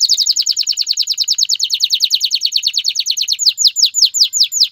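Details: Male canary singing to prompt a female to mate and build a nest; a rapid rolling trill of repeated downslurred notes, slowing near the end into separate sweeping whistles.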